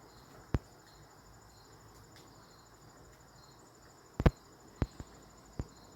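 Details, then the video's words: A woodpecker pecking a tree branch gives sharp, irregular taps, one early and then a quick cluster of four or five near the end, over a steady high insect drone. "Woodpecker - Bird pecking tree branch"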